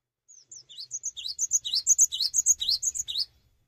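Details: Vigorous song of a cinereous tit that stays put rather than hopping, meant to spur other tits into song; soft high whistles build into a steady run of loud, sharp, downslurred chirps about three seconds long.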